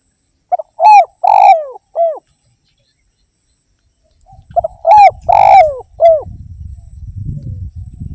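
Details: Lively song of an Indonesian spotted dove (derkuku): two phrases of four husky, arched coos about four seconds apart. A low rumbling noise rises near the end.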